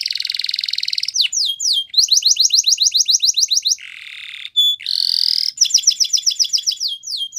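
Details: Morning song of a yellow canary, loud and high: fast rolling trill, then series of sharp descending chips, a pair of harsh buzzy bursts, and more rapid repeated notes ending in quick twittering.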